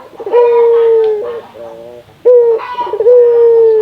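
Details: Local barbary dove in Indonesia, calling to stimulate other doves: long, even, low coos, each slowly dropping in pitch, with softer wavering notes between them and a sharp onset at each new phrase.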